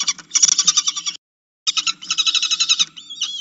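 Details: Falcon at its nest calling to be fed: fast bursts of harsh, rasping, pulsed notes run together, a brief silence, then another long chattering run ending in a thin whine.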